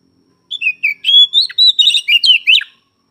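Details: Oriental magpie-robin song, noted as given morning, afternoon and night: about two seconds of bright whistled notes, some dipping and some swooping up, delivered in a quick, uneven sequence against a quiet background.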